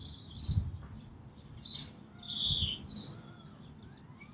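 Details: Brambling at Green Moor on 24 March 2019, calling and singing: intermittent high chirps and one longer buzzy wheeze midway, with low rumbling noise and faint distant tonal notes.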